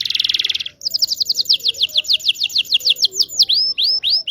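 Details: Indonesian local canary song for teaching young canaries and prompting quiet ones: a harsh rattling trill, then a rapid series of bright descending whistled notes that slow into a few upward-curling sweeps.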